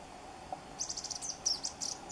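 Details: Agile tit-tyrant (Uromyias agilis) call at Chingaza Natural Park near Bogotá, Colombia: a thin, very high, rapid chatter of short notes lasting over a second, over soft background hiss.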